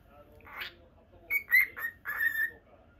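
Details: Pet lutino cockatiel in a cage gives a soft breathy note, then a few clear whistled notes and a drawn-out final whistle.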